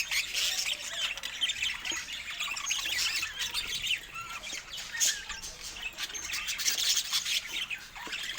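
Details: Happy pet budgies chirping together: a steady wash of high, scratchy warbling and short squeaks, several birds calling at once without pause.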